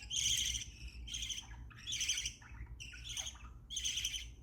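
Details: Happy chirping from a pet budgerigar: a lively run of five scratchy, squawking chirps in quick succession, each a short rasping burst with some quieter twittering between them, over a faint low hum.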